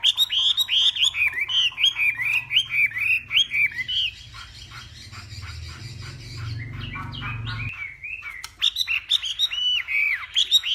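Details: Hwamei from Northwest Vietnam singing in a contest at morning training: loud repeated upswept whistles about twice a second, a quieter noisy stretch, then more bright looping whistled phrases.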